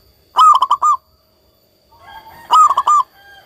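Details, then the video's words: Zebra dove, a local bird singing freely, gives two bursts of rapid, rolling coos, each of about five clear notes. A softer, lower sound fills the pause between the bursts. "perkutut lokal gacor"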